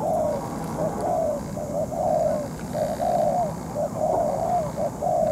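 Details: Spotted dove used as a moulting ground decoy in bird trapping, facing a wild dove for over two hours; low hollow coos in short and longer notes, repeated about once a second over steady background hiss.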